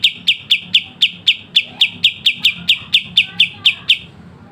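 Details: Sharp, clear 'besetan' phrase of a pied triller, used for training songbirds: a long string of evenly spaced, high, hard chip notes, roughly four per second, fading toward the end.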